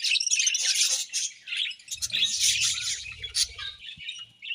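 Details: Budgerigars chirping in the morning: a dense, busy chatter of high, scratchy chirps and warbles, steady for the first seconds and then more broken, with a soft low rumble in the background midway.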